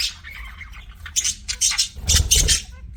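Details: A soft warbled chatter from pet budgerigars gives way to loud, harsh squawking bursts in the second half.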